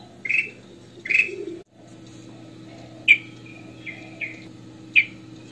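A goldfinch gives two short buzzy twitters, then a handful of bright, clipped chirps spaced about a second apart. A low indoor hum runs underneath.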